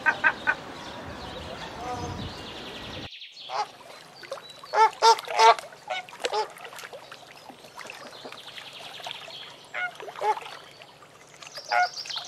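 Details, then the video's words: Seabirds give harsh, honking squawks in irregular bursts, with several birds overlapping over a faint low steady drone; a noisy, splashy stretch opens the recording before an abrupt cut. "Sea Birds /Birds chirping"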